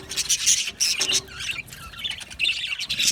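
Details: Budgerigars chattering when content, with sharp bright chirps and short squawks in quick bursts, several birds calling at once.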